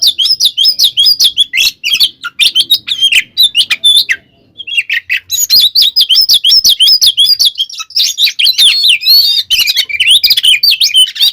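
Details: Oriental magpie-robin delivering a fighting song to provoke other kacer birds: dense rapid twittering and whistled phrases with a brief pause near four seconds, then resuming energetic varied notes with harsh buzzy bursts.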